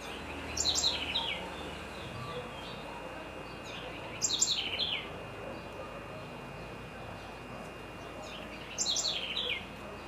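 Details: Great kiskadee (bem-te-vi) in Florianópolis, Santa Catarina, Brazil, giving loud, sharp, descending bursts of a few strident notes, repeated roughly every four seconds over a steady background hum.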